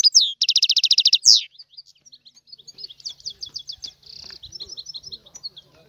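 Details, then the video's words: Goldfinch singing in the tiwawati song style: a loud, fast buzzy trill of evenly repeated notes, then a sharp downslurred note, followed by quieter rapid twittering and a short buzzy burst. "تغريد الحسون طيواواطي"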